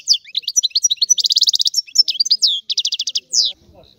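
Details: European goldfinch of Sicilian type in a rare old-style song, a lively unbroken stream of high, tinkling twitters mixed with rapid buzzing trills and short slurred whistles, ending in a falling note.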